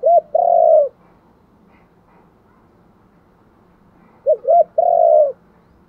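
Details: Spotted dove giving its luring call: a short note and a long, hoarse, level coo, then after three seconds of silence the phrase repeats as two quick notes and a drawn-out coo.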